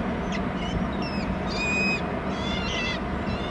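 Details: Bald eagle chick in a nest on Hornby Island calling while its father brings food: quick, uneven high whistles and chittering notes, some rising, packed into a few seconds over steady wind rumble.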